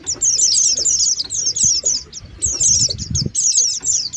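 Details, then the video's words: Oriental white-eye lure call used to attract birds down, high thin twittering chirps in rapid overlapping bursts, grouped into phrases with short pauses, faint low rustling beneath. "Suara pikat pleci"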